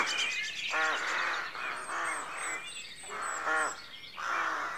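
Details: Rooks calling at a rookery at dawn: several harsh, hoarse caws repeat at irregular intervals over a steady background of thin chirps and twitters from smaller birds.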